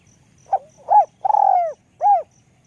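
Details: Spotted dove giving its high 'luk kok' style coo: a brief note, an arched hollow coo, a long trilled coo that slides down, then a closing arched coo. Faint high regular ticks sound behind it.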